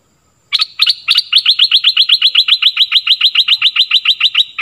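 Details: Stripe-throated bulbul, recorded for training young birds and luring wild ones, giving a long, even series of quick, sharp chirps, about four per second, running on without a break.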